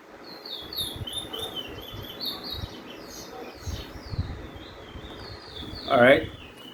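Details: A Venezuelan-origin Lesser Seed Finch in Trinidad sings a withdrawal roll: a run of high, sweet, slurred whistles repeated throughout, with a bird in the background also singing withdrawal. A man speaks briefly near the end.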